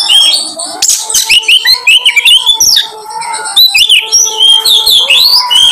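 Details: Kacer, or Oriental magpie-robin, singing as a lure meant to make other kacers show their repertoire: bright rising and falling whistled phrases mixed with sharp chirps and rapid chatter, continuous and loud throughout.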